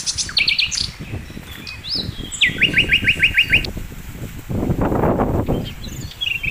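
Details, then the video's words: Singing sikatan londo flycatcher used as training material for cage songbirds: short high chirps, then a series of about seven sharp rising notes, with rumbling low noise and rustling behind. "masteran mewah sikatan londo gacor"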